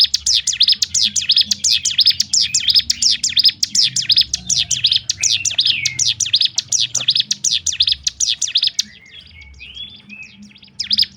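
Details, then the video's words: Rapid 'ngebrem' shooting song of a bar-winged prinia, used to stir other birds of its kind: dense, high, sharp chips repeated rapidly for about nine seconds, then a quieter pause with a few soft notes before chipping resumes. "nembak ngebrem rapat top nya untuk membangkitkan mental burung ciblek gunung lain"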